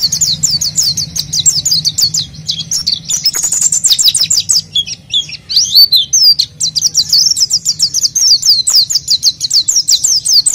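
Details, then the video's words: Oriental white-eye in energetic full song, used as a lure to prompt untrained white-eyes; long unbroken stream of rapid, high, sweet chirping notes with short slurred twitters, pausing briefly near the middle before resuming. "PLECI GACOR UNTUK PANCINGAN PLECI BAHAN"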